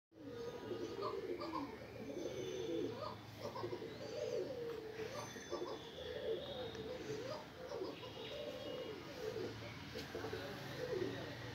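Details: A black female Indian fantail pigeon gives soft, low, rolling coos, repeated almost continuously with brief pauses, over faint background chirps and murmur.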